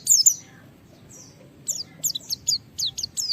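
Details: Japanese white-eye (pleci) challenging a rival: a loud opening burst of high slurred chirps, then over a second of quiet, then a run of short high down-slurred notes repeated quickly.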